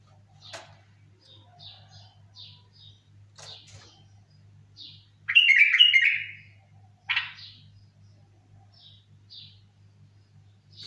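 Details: Bulbul, apparently kept indoors: scattered short high chirps, then a loud warbled burst of rich whistled notes lasting about a second and a brief final phrase, over a steady low electrical hum.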